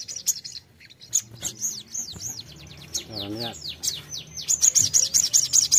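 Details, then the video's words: Sogon bulbul singing to make a fighter bird respond: a series of arched, whistled notes that slide up and down, a short low warbled trill, then a burst of rapid high chirps repeated quickly. "terapi mental sogon fighter pasti nyaut"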